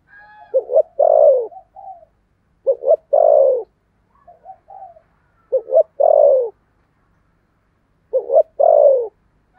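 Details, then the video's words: Caged decoy spotted dove with a 'thổ' voice style, calling to lure wild doves. Four low phrases over ten seconds, each two short clipped coos then a long, drawn, falling coo, with faint softer notes between phrases. "Chim Cu Mồi giọng THỔ"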